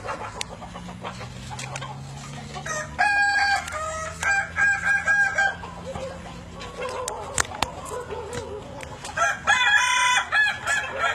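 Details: In the evening a Kukuak Balenggek chicken, native to Indonesia, lets out two bouts of segmented, many-syllable crowing separated by a quieter interval with low hum and scattered clatter.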